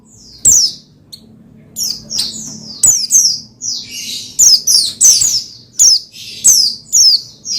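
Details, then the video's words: Lively Oriental white-eye (pleci) song, meant to spur another pleci to sing: high, thin, descending twitters that start sparse, then come thick and fast in rapid chattering runs. "Menaikan Emosi Burung Pleci Bahan Agar Pleci Gacor Cepat Bunyi Rajin Gacor"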